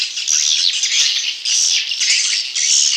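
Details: Swiftlet chick calls used to lure wild swiftlets, heard as loud high-pitched buzzy bursts of chattering that pulse in roughly one-second waves with brief dips between.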